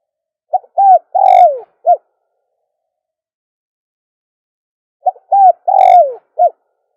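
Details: Dove calling for luring doves: two identical cooing phrases about four seconds apart. Each has clipped low notes, a long downward-sliding coo and a short closing note, heard over silence.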